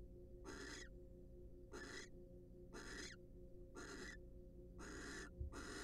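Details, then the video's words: Wild barn owls at a monitored nest box, preening and courting each other: harsh, breathy hissing bursts, each about a third of a second long, repeated roughly once a second, six in a row over a steady low hum. "Barn Owls Share A Special Moment During Their Preening And Court Session."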